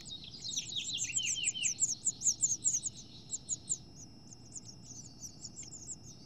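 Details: Female house finches in a nest dispute, chicks almost ready to fledge: a loud burst of quick high chirps with several sweeping downslurred notes early on, fading into sparse, softer chirps.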